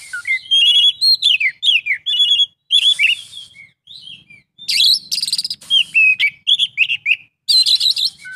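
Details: Oriental magpie-robin pouring out full isian song: fast sequences of bright whistled slurs and downward notes mixed with buzzy, rattling bursts, each group separated by brief pauses.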